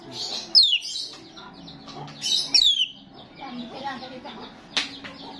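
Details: Energetic starling, recorded to lure others of its kind: two long, piercing whistles glide downward about two seconds apart, followed by a sharp click-like note, over steady chattering.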